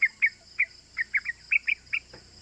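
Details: Sooty-headed bulbul, a lively calling bird used as a lure to stir other bulbuls into calling: short bright chirped notes repeated roughly every quarter to half second, some paired, over a faint steady high hiss.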